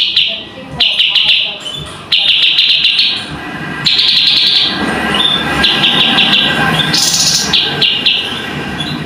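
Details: Tutor recording of cucak cungkok song: a string of buzzy high-pitched trilled phrases, each a second or so long, separated by quick clicking notes, with a low murmuring background and a brief harsh hissing burst near the end.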